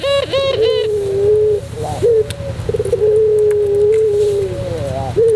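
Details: Cooing of a white puter pelung dove for bird tutoring: a short burst of tremolo notes drawn into long, even, low coos, then a rising slur and a fresh start, with a steady background hum.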